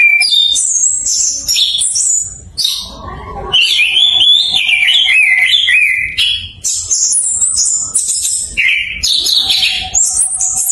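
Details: Song of an orange-headed thrush, used to coax quiet thrushes into singing: long, varied, high chattering and whistled phrases with slurred buzzy runs. A brief lull in the middle, then the rapid warbling resumes.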